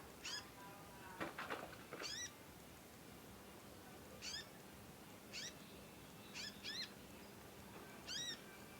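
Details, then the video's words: Nyecet chirping from a young conin learning to sing: spaced, curved harmonic chirps, some in quick pairs, with a burst of scraping noise near the start. "ANAKAN CONIN, NYECET PANJANG BELAJAR BUNYI & GACOR"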